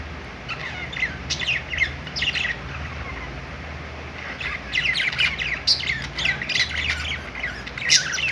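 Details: Budgerigars chirping on a perch in a pet store: short runs of high, scratchy tweets, fairly sparse in the first half, then busier, overlapping chatter from about four and a half seconds, over a low constant hum.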